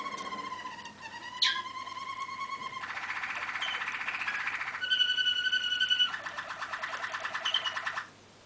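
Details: Song of a Malinois waterslager canary, 2013: long pure held tones with a rising slur, then a rapid dense bubbling trill, another steady whistled note, and a further fast rolling water-like tour before the song ends.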